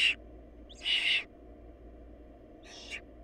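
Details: Food-short barn owl nestlings whose mother fed a dead sibling to them. Short harsh hiss bursts, one loud and longer in the middle, a fainter one near the end, with a low background hum.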